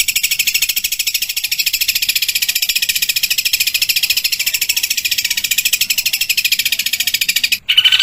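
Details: Long-tailed shrike, pentet, in a masteran training recording of harsh rapid-fire tembakan kasar song: a dense, buzzy, evenly pulsed rattle, very fast and unbroken for about seven seconds, then a brief pause and a fresh burst.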